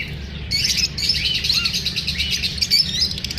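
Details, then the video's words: Several pet lovebirds, uneasy at being filmed, burst into rapid high-pitched chirping after a brief quiet start, with overlapping shrill tweets and quick twitters running without a break over a faint low hum. "The sounds of parrots after feeling unsafe."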